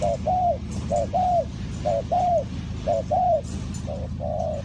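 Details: Spotted dove in Ninh Thuận, recorded during bird trapping, with a clear short-long coo pattern repeated about once a second. The longer note is slightly arched and falling, with a low steady background hum.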